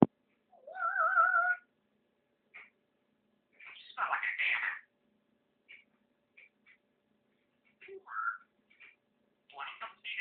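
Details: Male African grey parrot that speaks over 300 words and full sentences, vocalizing indoors: a wavering, meow-like tonal phrase, then scattered short clicks and rasping, speech-like bursts separated by pauses.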